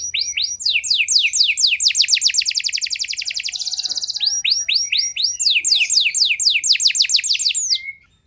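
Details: Canary song serving as pancingan to prompt poorly conditioned canaries. Fast trills of swept notes run into a dense buzzing high roll, then resume as rapid repeated slurs before ending abruptly.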